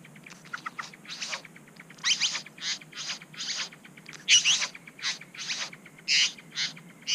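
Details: Wild Satin Bowerbirds at a bower in NSW, Australia, recorded on a GoPro while a third bird intrudes. Harsh, buzzy, broadband bursts in irregular runs, some short and clipped, others longer and grating.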